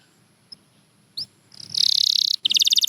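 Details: Canary song: a few isolated chirps, then a loud, fast buzzy trill, a short pause, and another rapid pulsed trill.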